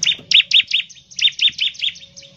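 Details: Bar-winged prinia singing actively in the rapid ngebren style, used to prompt other prinias to sing quickly: about ten sharp, high chirps in quick succession, each a steep downward-bending note, fading toward the end, with a faint low hum beneath.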